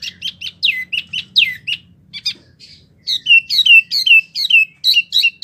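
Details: Wambi used as a tutor recording for oriental magpie-robins and other birds: fast series of sharp, downslurred chirps, a short pause, then a rhythmic run of paired notes dropping in pitch.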